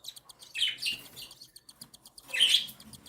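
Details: Three cockatiel chicks, one and seven days old, begging while their mother feeds them indoors: fast dry ticking pulses with two louder rasping, wheezy bursts around the start and end.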